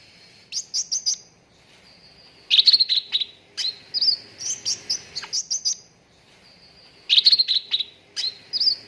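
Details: Lure song of a cucak ranting, meant to bring contest birds into full song. Dense bursts of rapid high chirps and trills come in clusters separated by short pauses, with brief sustained whistles between them.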